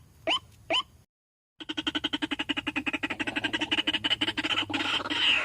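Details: White-breasted waterhen lure call, meant to draw a whole group: two separate sharp rising notes, a brief silence, then a fast, dense run of harsh clucking pulses that grows into loud, rough squawking.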